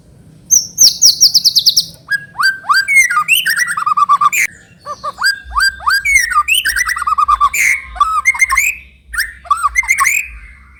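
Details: White-rumped shama song used as a lure to make another bird sing: a buzzy high rattle, then a rich fast stream of whistled, slurred and chattering phrases with sharp falling notes, continuous and loud, over a faint low hum.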